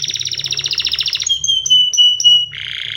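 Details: Canary singing a fast pulsed trill of about twenty notes, then several clear, level whistles with sharp onsets, and finally a dense, buzzy roll.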